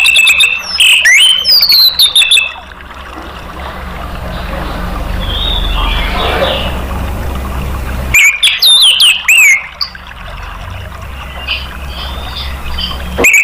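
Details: Song of an orange-headed thrush, played as a lure to draw other caged birds into singing: sharp whistled and chattering phrases at the start and again near the end, separated by a long stretch of background hiss and hum.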